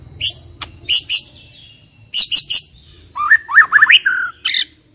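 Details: White-rumped shama song used as a lure to make silent shamas start singing: loud, harsh, rasping bursts in short clusters, then a quick series of rising and falling whistled notes, one more rasp at the end.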